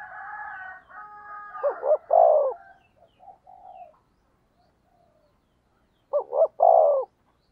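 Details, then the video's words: Decoy spotted dove calling to rouse wild rivals: a layered warbling murmur, then two loud three-part coo phrases, two short notes and a long hoarse one, separated by about four seconds. "Cu Gáy Mồi Thúc/ Kích Bổi"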